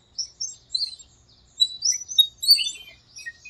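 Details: Birds singing at dawn in breeding season in a small park during the rainy season: scattered high, thin chirps and short twittering phrases overlapping one another, several quick notes per second, against a quiet background.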